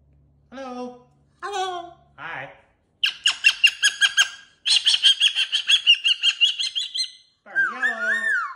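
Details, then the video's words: Pet cockatoo on its cage with new jingly toys, mixing a few speech-like syllables with bursts of rapid harsh squawks and chattering, ending in a whistled rising note. "Fun Talking, Silly Wing Waves, Woo Woo Woo!!!"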